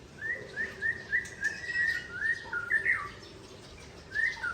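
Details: Tangse-type Aceh white-rumped shama, singing to outdo a rival: a steady run of about a dozen short whistled notes at even pitch, ending in a quick dropping flourish, with a later pair of notes.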